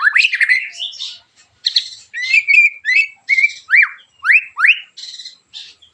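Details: A white-rumped shama singing harsh 'tembakan' phrases to lure other shamas to join in; buzzy, scratchy notes open, followed by a string of loud, upward-sweeping whistles repeated roughly every half second.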